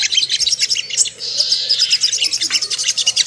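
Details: Lure recording of Ruby-cheeked sunbird intended to rouse aggression and breeding mood: shrill, quick-fire tinkling chirps, briefly merging into a sustained high trill.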